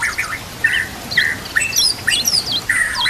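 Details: Fill-in song of a white-rumped shama for training, with nature sounds and trickling water: fluty mid-pitched whistles alternating with high thin slurs and sharp squeaky notes.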